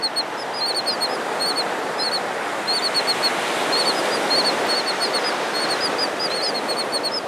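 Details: Royal terns on Malibu Beach, a presumed male trying to get a female's interest: short, high, scratchy calls, many overlapping in quick succession, over a steady roar of surf.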